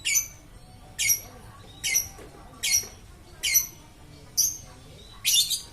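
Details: Lovebird singing nonstop: a regular series of seven sharp, high, squeaky chirps, about one each second, each with a quick downward sweep, over a quiet room.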